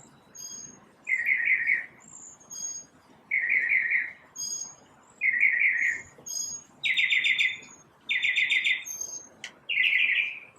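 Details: Single unidentified bird singing in the morning, making many kinds of sound by itself: rapid trilled bursts alternating with thin high whistles, about six trills with short pauses between.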